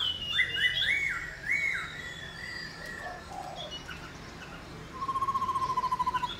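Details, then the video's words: Black-throated laughingthrush song in the loud calling style, used to stir other laughingthrushes into singing: rising, slurred whistled phrases in quick succession, then a rapid even trill of about eleven pulses near the end, with faint background noise. "Khướu Hót RÉO Kích Khướu Bạn Căng Lửa Sung Mãn Hót Nhanh"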